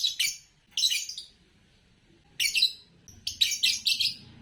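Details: Green Fischer's lovebird chirping in rapid harsh bursts, a pair, then a gap, then a fast run of five or six buzzy squeaks, with a low background rumble.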